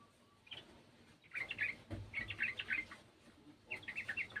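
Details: Garden sooty-headed bulbul singing along with the song of another bulbul: three bursts of quick, bubbly warbled notes separated by short pauses, with a soft thump in the middle.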